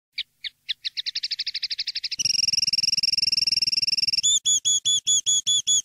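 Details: Common linnet song meant for educating young linnets: quick chips build into a fast trill, then a long pure whistled tone, followed by repeated ringing whistled notes about every quarter second.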